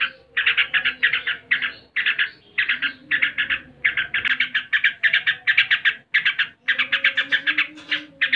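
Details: Yellow-vented bulbul singing in the ngebren style with super tembakan (shooting) bursts: rapid chattering volleys of sharp notes in tight clusters, each lasting about half a second, repeated almost without pause, with a faint low hum beneath.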